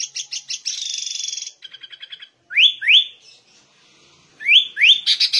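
Sooty-headed bulbul singing a lively, varied song: quick high chips, a buzzy chattering trill, then pairs of sharp rising whistled upslurs.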